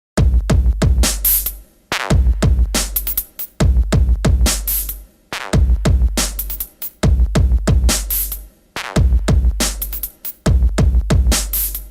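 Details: Electronic music with a heavy drum machine beat repeating in loops, and no animal sound.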